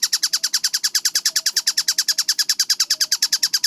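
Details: Kingfisher, locally called tengkek buto, in a clear, fast recording: quick regular bursts of high, grating 'kek' notes, around eight per second, with faint low clicks behind.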